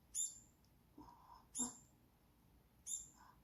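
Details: A young Brown-eared Bulbul that fell near an apartment playground, kept indoors on its third day of rescue at 6 a.m., gives three harsh, high, scratchy chirps about every 1.3 seconds, with soft human murmuring between them.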